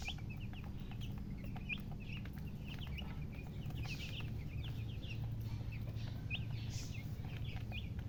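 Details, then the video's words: Chirping of colour chickens: a continuous stream of short, sharp, high peeps, several birds calling at once, against a constant low droning hum. "silly chicken chirping sounds with murgi hen color chicken"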